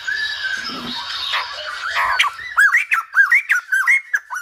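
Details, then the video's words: Silver-headed babbler song compared to a Lumba dancer: a hazy, noisy start, then a clear, regular run of springy arched notes, about two per second, over the last two seconds. "Khướu Đầu Bạc / Silver -headed Babbler / Singibg like aLumba Dancer"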